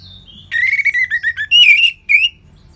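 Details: Orange-headed thrush, a caged bird in Singaraja, North Bali, pouring out a quick series of sweet whistled notes, each slurring downward, followed by a loud ringing phrase and one short rising whistle.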